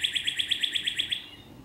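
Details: A female Northern Cardinal calling her mate in a cloistered courtyard in Little Rock gives a quick run of about ten bright, clipped notes, roughly nine a second, then falls silent; faint background hum.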